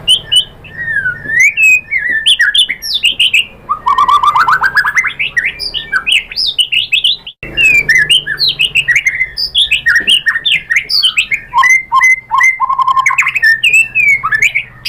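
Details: White-rumped shama in full varied song, used as a lure to provoke other shamas into singing: rich, fast medley of whistles, rattles, trills and downslurred notes, with a short break midway.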